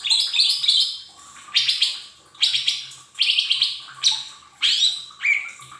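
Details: Lesser green leafbird singing as a training lure to prompt untrained caged birds to start singing: loud, bright, rasping-sweet phrases repeated about once a second, each sweeping up then levelling, with a low faint background hum.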